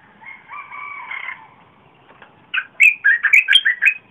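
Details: Red-whiskered bulbul, 30 April 2021, its song used as a lure for wild birds and a model for young birds; a long, drawn-out double tone, a pause, then a rapid phrase of about seven bright, bubbling notes.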